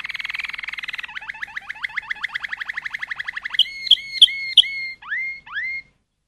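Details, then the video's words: Malinois (Waterslager) canary song: a fast rolling trill, then a run of quick repeated rising notes, a few bright clicks and two drawn-out rising whistles. "تغريد الكناري مالينوا. chant canaris malinois..canary song . Canto canario. canto canarino malinois"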